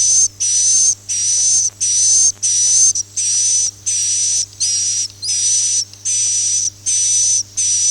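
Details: Swiftlet, "Akau ngaji" style: harsh, hissing buzzes with a thin high whistle inside, about ten even bursts in steady rhythm, each just under half a second with brief gaps.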